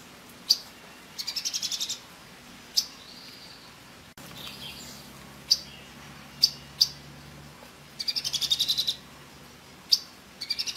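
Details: Orange-bellied leafbird calling: sharp, very high single ticks spaced irregularly, alternating with short buzzy rattling trills about a second long, in a quiet setting.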